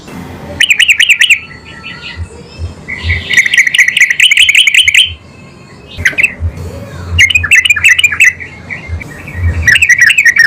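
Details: Yellow-vented bulbul singing actively and answering at once: loud, distorted bursts of bubbly, chattering phrases, some buzzy, with short pauses between them and a low hum underneath.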